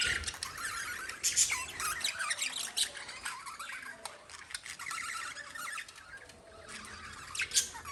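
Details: Lovebirds chirping: dense, scratchy high chatter with sharp squeaky notes, sharper bursts near 1.3 and 7.5 seconds, continuous throughout with short dips in loudness.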